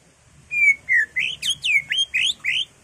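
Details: Greater green leafbird, a caged bird, singing an energetic full song used to provoke others into singing: a rapid run of clear whistled notes, some rising and some slurred downward, about eight phrases in under three seconds, with faint low background hum.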